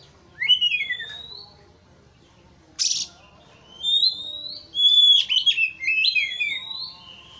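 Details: Caged white-rumped shama singing in a recording meant to stir a rival. A sweeping whistle is followed by a harsh burst, then rising whistles and fast warbled notes.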